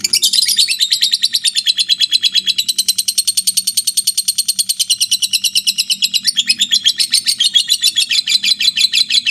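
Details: Lovebird in long ngekek, a sustained rapid trill of sharp, high chattering notes, steady and without any pause, wavering a little in pitch; soft low hum in the background.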